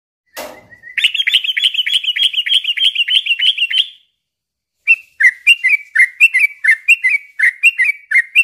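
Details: Yellow-vented bulbul singing continuously, a recording meant to lure birds and train quiet or young ones to sing. A sharp click opens it, then a rapid buzzy trill for three seconds, a pause, and repeated bubbly two-note phrases.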